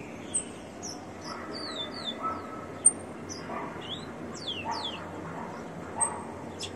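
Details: Captive male Rufous-collared sparrow (Zonotrichia capensis) singing a little after training, thin, high whistled notes mostly slurred downward in loose scattered phrases over steady background noise and a few low thumps.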